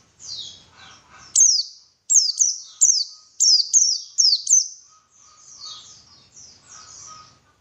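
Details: {'caption': 'A white-eye gives a quick series of about eight high, sharp, falling chirps, framed by softer, fainter twittering at the start and the end.'}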